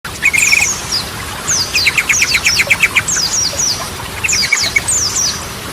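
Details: Yellow-vented bulbul in full song, a style with Ropelan and Goklikan phrases, used as a lure to restart stalled birds; high, quick slurred whistles and short buzzy trills, repeated in bursts over a faint hiss.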